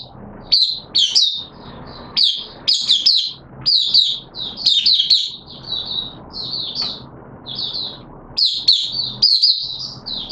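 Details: Mata puteh, the oriental white-eye, caged and singing its opening buka sing song in wet weather on 6 September 2022: a long sequence of high chirpy warbled phrases, loud bursts alternating with softer twitters.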